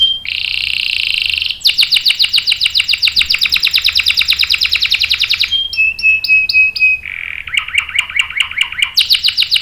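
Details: Canary singing, described as a female in breeding condition calling the male; loud varied song of sustained high trills, rapid repeated notes, then fast buzzy rolled phrases and descending swept notes.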